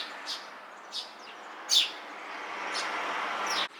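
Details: Eurasian tree sparrow chirping from a house beam: a few short, high chirps spaced about a second apart, one louder than the rest, over a steady background hiss.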